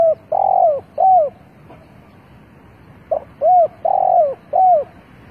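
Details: Lure spotted dove calling wild birds with two full phrases about two seconds apart, each a soft lead-in followed by mellow arched coos and one drawn-out rolling coo, in a quiet setting.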